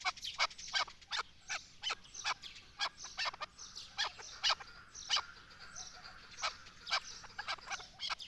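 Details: Chukar partridge, named as Pakistan's national bird, giving a steady series of sharp, clucking chuck notes, about two or three each second, in uneven bursts throughout, over a quiet outdoor background.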